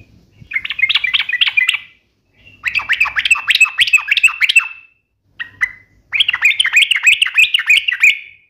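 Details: Yellow-vented bulbul singing in sharp 'ropel' bursts: three runs of rapid, rolling, bright notes separated by short pauses and a couple of isolated chips.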